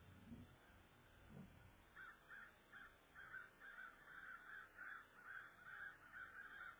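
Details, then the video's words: Common Raven calling near an eagle nest while the incubated eggs lie exposed, February 23, 12:44 pm; ravens steal eggs and often work in pairs. Faint, rapid series of harsh, repeated notes, roughly two per second, over quiet background. "Raven Alert"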